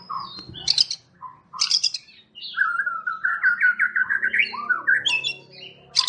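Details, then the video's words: Champion competition white-rumped shama in full song: sharp high chattering bursts alternate with a long run of rapid, rising, rich whistled notes, over a low steady hum of background noise. "MURAI BATU JUARA. Kumpulan Tembakan Murai Batu juara"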